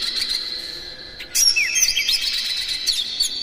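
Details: Oriental magpie-robin, kept as a lure bird, singing energetically with mimicked phrases. After a steady high whine, rapid sweeping whistles and sharp chirps begin suddenly and continue densely.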